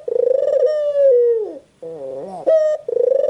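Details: Drawn-out falling coo by a white puter dove, then a pause, a soft wavering rising note, a sharp bright note and the start of another coo.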